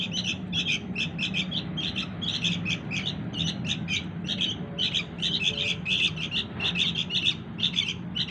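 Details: Chick of the sooty-headed bulbul calling for its parents: hurried, repeated squeaky chirps in clusters, almost unbroken for the whole stretch, against faint low background noise.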